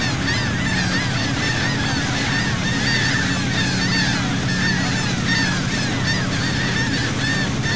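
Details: Seagulls heard from a boat at sea off Saint Martin, Cox's Bazar, Bangladesh; many overlapping squealing, arched calls rise and fall continuously above a steady low engine drone.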